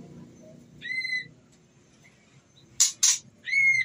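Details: Breeding-condition female white-rumped shama calling for a male: a short steady whistled note, a pause, two loud harsh rasps, then another clear sustained whistle.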